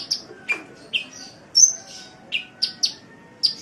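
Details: High, sharp sunbird notes from a masteran recording: separate downslurred chips and short whistles, spaced irregularly, some dropping to lower pitch, over a quiet background hum.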